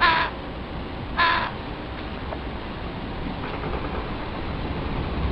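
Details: Juvenile crow begging from reluctant parents in the family's breeding territory: two rough, drawn-out nasal calls about a second apart, then only steady background rumble.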